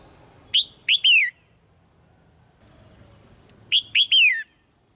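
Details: Soft calls of a caged female red-whiskered bulbul, given to make a male sing louder. A whistled three-note phrase, the last note long and descending, is repeated once after about three seconds.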